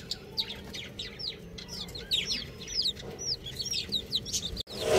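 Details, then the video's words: Chicks calling: a flurry of thin, high, downward-sweeping peeps from several birds, rapid and overlapping, ending with a brief burst of noise. "Cute Chick Sounds | Baby Chicken Sounds"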